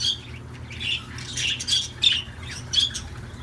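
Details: Budgerigars singing with scattered, squawky chirps and short scratchy notes, several bursts sharper and higher, spaced irregularly over a few seconds, with a faint low hum underneath.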